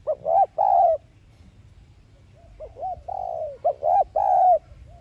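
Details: Decoy spotted dove voicing a lure call for trapping, 'thúc gù' style: a soft coo phrase of hooked notes ending in a drawn-out hoot, a pause, then the phrase repeated.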